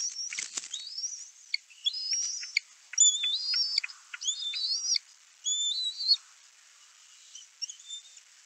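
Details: Bald eaglets LM5 and LM6 at the Little Miami nest on 11 May 2024 give thin, high, squeaky whistles, quick rising chirps and chittering runs. They call as an adult arrives with a fish and compete to take it.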